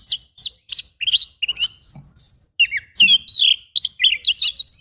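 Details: Oriental magpie-robin rough fill-in song for training: evenly spaced sharp notes speed up into rising whistles and a fast, wavering warble of tightly packed syllables.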